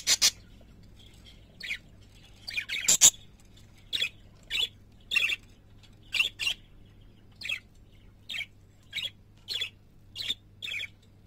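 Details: Pet parakeets sing in loud opening squawks, then a run of short chirps repeated about every half second to a second, fairly steady, over a faint low hum.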